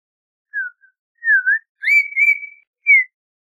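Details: Audubon's oriole song of clear, unhurried whistles. A falling note and a dipping slur lead into a longer, richer sustained whistle with a slight waver, then a final downslurred note.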